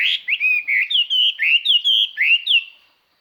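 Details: Chinese hwamei, a lure bird, singing clearly to draw in rival birds; bright slurred whistles repeated rapidly in a steady rhythm, each note rising then falling, ending abruptly.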